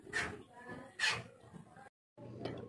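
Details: Common hill myna speaking Indonesian words in two voice-like bursts, followed by a short gap and a further phrase.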